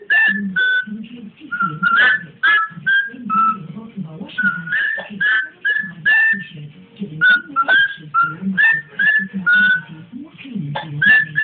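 A cockatiel whistles a lively string of clear notes, some rising and some falling, over a low murmur.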